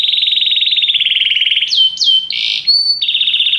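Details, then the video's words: Canary singing: long fast trills held steady, then swooping slurred notes and a clear whistled note before another rapid buzzy trill. "Canary bird | o canário canta muito bem"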